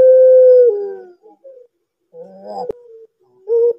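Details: Drawn-out level coo from a Barbary dove of the pelung kind, sinking in pitch at its end, followed by short broken notes, a sharp click and a brief closing hoot; quiet background, used to lure young or silent doves.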